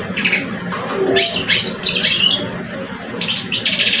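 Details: Two caged male European goldfinches in a singing duel, one older and experienced, the other about two years old: fast bright twittering phrases with buzzy and whistled notes overlapping in quick bursts, over a low background hum.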